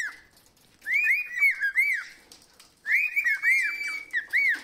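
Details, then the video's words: Caged pet parrot in a happy mood whistles two bursts of looping, arched tonal notes, each run of rapid rising-falling whistles lasting about a second and a half, separated by a quiet pause. "Happy Mood Whistling"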